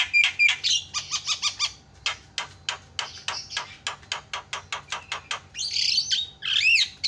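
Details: Javan myna, a lure sound for getting other mynas to call: rapid dry clicking notes, about four a second, then a harsh burst and a swooping whistled note at the end.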